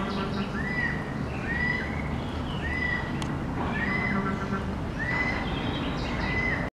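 Lineated woodpecker giving clear whistled notes, each rising then holding level, repeated about once a second over a steady low rumble of background noise.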